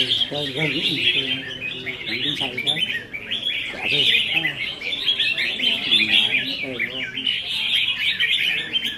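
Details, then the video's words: Red-whiskered bulbuls kept in cages and singing against each other at a contest on 15 May 2021. Bright, busy whistling and chattering phrases overlap almost without pause, with a man's voice breaking in now and then. "Chào Mào Đấu Giàn | Dợt Chim Chào Mào Đấu Hót"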